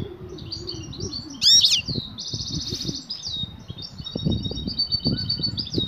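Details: A female European goldfinch in mating mood gives batbata calls to attract a male. A piercing chirp cluster leads into a steady, rattling buzzy trill and then a run of lighter twittering, over low bumping and rustling.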